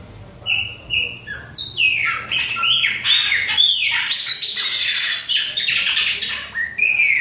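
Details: Bahia-type Chopi blackbird in autumn, young bird mentioned: rich, loud song of clear whistles sliding downward mixed with squawky, buzzy chatter, delivered almost nonstop.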